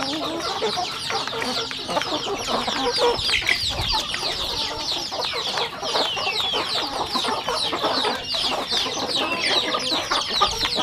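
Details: Home flock of rural chickens feeding, a continuous, even chorus of shrill overlapping peeps with crisp pecking taps running underneath.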